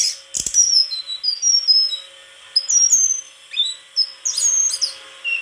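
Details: White-throated flycatcher song of clear, high whistled notes, some slurred downward, delivered in short phrases with brief pauses and a few scratchy twitters.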